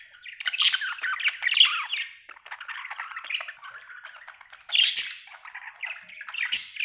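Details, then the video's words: Happy budgerigar warbling in an unbroken scratchy chatter of squeaky chirps, slurred whistles and short loud squawks. "Happy budgie chirping sound"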